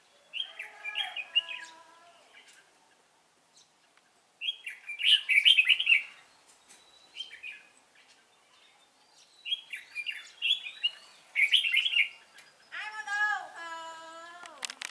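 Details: Good-voiced 'Cánh ruồi' red-whiskered bulbul during trapping on 3 March 2017; repeated bursts of lively, bubbling warbled phrases about every two to three seconds, with pauses between, and a harsher stacked, buzzy sound toward the end.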